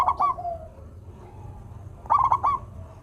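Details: Zebra dove of local stock singing: two bursts of quick staccato rolling coos, one at the start and one after a pause of nearly two seconds, with a faint drawn-out coo between them over a low background hum.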